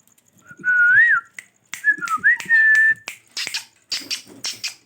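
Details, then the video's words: Parrot whistling a wavering phrase that rises and falls, then a second phrase ending in a long steady note, followed by clicks and rough noises in a room. "My Favorite parrots Talking amazing sounds different voices of parrots"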